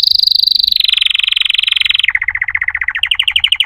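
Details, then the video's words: Canary trilling in rapid rolls: a fast high trill slides lower, shifts to a slower series of pulsed notes, then rises into quicker bright repeated notes. "chant singing canaries 12 تغريد الكناري"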